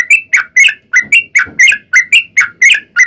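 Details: Fighting-style sooty-headed bulbul song meant as a lure for other bulbuls: a brisk run of short, sharp, slurred chirps, about four a second, loud and close with a quiet background.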